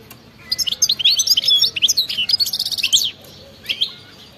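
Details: European goldfinch giving wild 'batbata' song: a continuous stream of fast, high twittered notes and short trills, stopping abruptly, then a short two-note tail after a pause.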